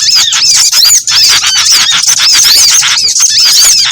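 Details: Lure calls from a mix of small birds used for trapping: bright squeaky whistles with arched shapes repeat quickly amid dense overlapping chirps, briefly dropping near the first second.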